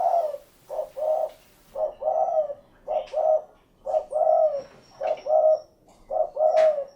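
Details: Spotted dove cooing steadily, seven or so phrases of a quick low note and a longer throaty coo, with occasional faint clicks in the background.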